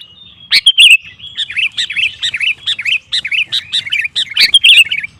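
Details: Sooty-headed bulbul song meant to goad rivals into singing: a steady stream of crisp, warbled chirps repeated several times a second, with a few louder emphatic notes.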